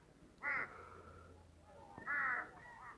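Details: Two loud hoarse crow caws about a second and a half apart, trailing into fainter calls, heard in a Western Himalayan village in Tirthan Valley near forest and apple trees.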